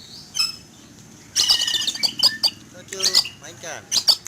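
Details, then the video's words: Caged Oriental magpie-robin sunned outdoors in the morning, alarmed at an eagle in flight; after a quiet start, a burst of harsh rasps followed by piercing high chirps at intervals, with a person's voice faintly heard. "Kicau Burung Kacer Ketakutan Melihat Burung Elang Terbang"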